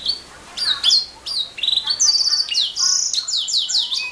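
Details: Canary song, loud and continuous: bright whistled notes, rapid rattling trills and sweeping downslurs follow one another quickly in a high register.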